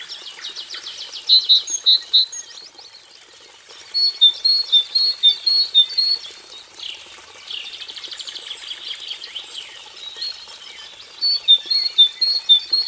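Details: Gelatik batu kelabu, a cinereous tit, giving song variations: bursts of sharp paired whistles repeated several times, broken by dry buzzy trills, with pauses between phrases and a constant high hiss behind.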